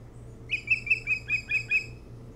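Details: Osprey calling at its nest on Hog Island, Bremen, Maine, picked up by a nest cam on 3 July 2018 between 4:36 and 5:06; a run of seven sharp, whistled cheeps, evenly spaced about every fifth of a second, with a faint hum beneath.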